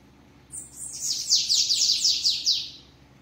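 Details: Strong-singing bananaquit in 'treme treme' style: after a half-second pause, roughly ten sharp, high buzzy notes slur downward in quick succession, each dipping in pitch, then the phrase stops abruptly.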